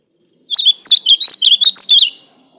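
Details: Ultramarine grosbeak pouring out a single energetic phrase after a short pause, about ten rich, bouncing whistled notes linked closely over a second and a half, with a clean, silent background.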